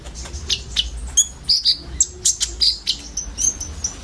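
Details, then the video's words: Common iora, a group of birds together, giving 'isian' filler song used as a lure for sunbirds: quick high, thin chirps and short sharp notes, uneven and irregular, with brief louder squeaky bursts through the middle. "SUARA BURUNG KONIN BUNYI ISIAN"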